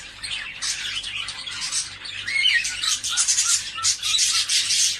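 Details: A group of cockatiels, used as a sound to stimulate breeding, keeps up a busy wall of scratchy squawks and chirps that builds louder toward the end, with a few short upslurred whistles mixed in.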